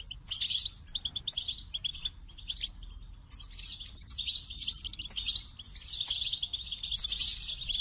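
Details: Goldfinch singing a quick, cheerful run of high twitters, tinkling notes and buzzy trills with only brief breaks.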